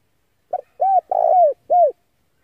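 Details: A single male spotted dove phrase meant to attract wild doves: short note, arched coo, long quavering downslurred coo, then one more arched coo, lasting about a second and a half.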